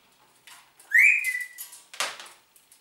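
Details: Talking Congo grey parrot indoors giving a loud upward-gliding whistle that levels off and holds, followed by a burst of harsh rasping noise near the end.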